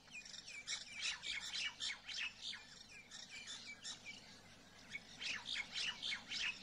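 A white parrot gives harsh, grating squawks in quick bursts, about three a second, high and raspy, with a faint low hum underneath.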